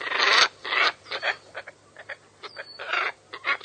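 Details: Scarlet ibis uttering loud, harsh nasal honks followed by softer, shorter grunting notes spaced irregularly, with a faint thin whistle in the background.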